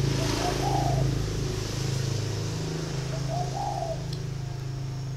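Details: Caged red-eyed male spotted dove of large build, six years in the cage, giọng thổ voice; two gentle coo phrases about three seconds apart, partly masked by a loud continuous low engine-like drone.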